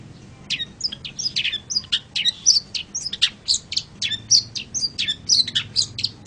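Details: Long-tailed shrike song made as training material for other birds: a continuous jumble of varied sharp chips, short twitters and brief whistles, quick and irregular throughout.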